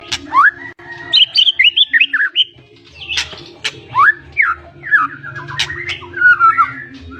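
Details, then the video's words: White-rumped shama of the blorok variety singing a rich, loud 'gacor ngeces' song full of 'isian' fills: rapid rising and falling whistled phrases, sharp chips and quick slurred notes in bursts, over a low steady background hum. "MURAI BATU BLOROK GACOR NGECES ISIAN"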